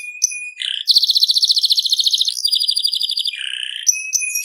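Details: Canary song in an energetic, continuous run: a thin steady whistle, then a fast rattling trill, a buzzy roll and lower chattering notes, with short sharp whistles closing the phrase.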